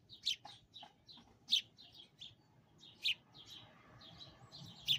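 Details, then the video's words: Close chirping of sparrows outside a window, a busy run of short high chips with loud accented notes about every one and a half seconds, softer twitters filling the gaps. "Bird Singing outside window upclose #Sparrows"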